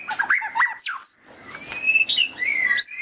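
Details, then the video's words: Loud white-rumped shama chatter: quick upward-slurred whistles and harsh notes, then a long thin drawn-out whistle and a final sharp rising note. "Suara Burung Murai Batu Ngeriwik kenceng"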